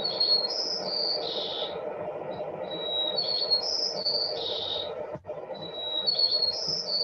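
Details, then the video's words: White-crowned Sparrow song, one of the most studied sounds in animal behaviour, whose subspecies sing different songs: a clear high whistle, then rising and falling whistled and buzzy notes, repeated about every two and a half seconds over a steady low rumble. "so the white crown sparrow song is the most frequently studied of all sounds in animal behavior"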